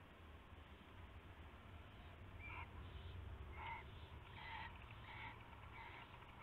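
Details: Owl at night on 19 February 2016 with a rabbit being handed over: a quick irregular series of short raspy chirps over a constant low droning hum.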